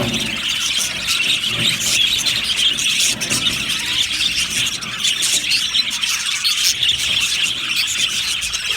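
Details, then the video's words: Many budgerigars in an aviary chirp in a happy flock, producing a dense, busy twitter of high squeaky notes that runs on without pause. "Happy Budgies chirping sounds | Budgies sounds"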